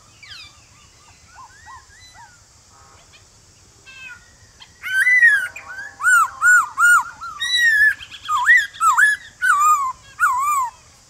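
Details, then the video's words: Male white-cheeked laughingthrush calling a newly caught bird in the morning in its wild-type voice: faint scattered notes at first, then a lively string of loud, clear whistles repeated roughly every half second. "Khướu Bạc Má Hót Giọng Rừng Kích Khướu Bổi Hót Lại Ngay/Tiếng Khướu Trống Gọi Bổi Buổi Sáng Cực Hay"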